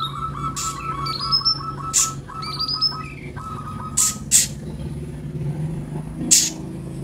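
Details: Kolibri ninja sunbird used as a training recording to coax newly bought caged birds into singing: rows of quick buzzy notes repeated in a steady series, higher rising whistles, and sharp broadband clicks over a low background hum.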